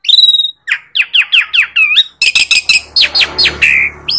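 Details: Jalak suren song: a long high whistle, a run of descending slurred notes, then loud chattering bursts and harsh squawks from an Asian pied starling.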